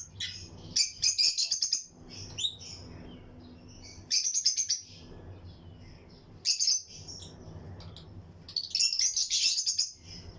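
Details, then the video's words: Pairs of lutino lovebirds in a colony flight aviary, chirping alongside other birds: four separate bursts of rapid, piercing high chatter, each about a second long, spaced by quieter stretches of low hum. "Lutino Lovebirds Breeding Colony Cage - Chirping and Relaxing Sound"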